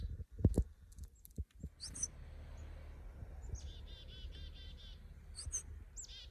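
A chickadee gives high, clear opening notes, then a quick run of about six buzzy 'dee' notes over a low outdoor rumble, after some early knocking sounds.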